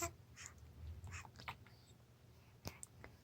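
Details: A 4-month-old common raven makes silly sounds while someone wiggles a finger across his lips: clicks, soft croaks and sharp knocking bursts spaced irregularly over three seconds, over a low steady hum.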